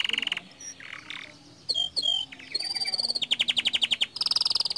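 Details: Canary song used to prompt other canaries to sing: short high notes and pauses, then rapid rolling trills of bright repeated notes building toward the end.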